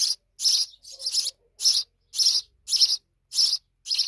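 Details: Loud, close chirping from big sparrow young, harsh high notes coming roughly every half second, some doubled, with a faint soft lower note near the middle.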